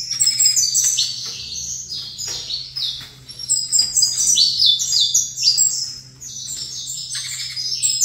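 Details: Energetic saffron finch singing beside another bird it faces. High chirps are packed into fast successive phrases of falling slurs with few pauses, over a steady hum.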